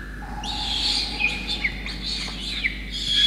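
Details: Harsh, wavering begging screams of a peregrine falcon chick being fed a soaked starling by its parents, Orange, New South Wales, Australia, 5 November 2021; sustained rasp with a few sharp downward-slurred notes.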